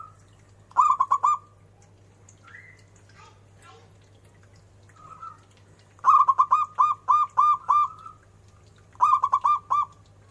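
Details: Zebra dove repeating its cooing phrases: a short burst, a few faint scattered notes, then a long run of about eight staccato coos, and another burst, over a constant low hum.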